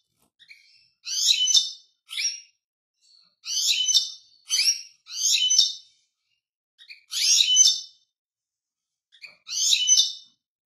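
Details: Goldfinch song made of short, jangling, high-pitched twittery phrases, each under a second, six or seven in a row with uneven gaps. The background is quiet.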